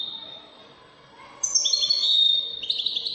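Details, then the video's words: European goldfinch singing widani style, Moroccan: a thin steady tone, then a bright burst of high drawn notes sliding down and holding. "الحسون الويداني الملك الذي يستحق استماع وتمتع في ادائه في التغاريد الويدانية المغربية"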